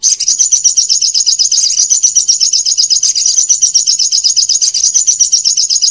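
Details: Olive-backed sunbird song used as a lure for young birds: a continuous, loud, rapid trill of high, sharp, slightly buzzy chirps repeated about four times per second without pause.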